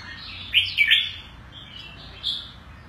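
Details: A pet Oriental white-eye in Singapore, a new intake that is aggressive and sings a lot of loud 'chup' notes, recorded 16 Jan 2018. It gives a few thin, high, quick twittering notes with sliding chirps, pauses, then one more brief high phrase.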